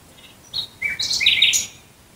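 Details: Night-singing nightingale near Dresden, Germany, delivering a quick string of varied notes: short clipped whistles, a lower slurred note, then a rising cluster of bright chattering sounds before falling silent.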